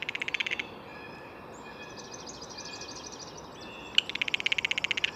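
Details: Blue jay giving a short rattling burst, then a pause filled with faint high warbling, then a longer rapid clicking rattle to finish.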